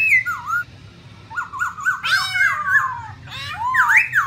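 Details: Female black laughingthrush calling 'ro ro' alongside a male, used to rouse birds to sing. Swooping whistles and a harsh burst lead into a chattering run, ending in loud V-shaped whistled notes.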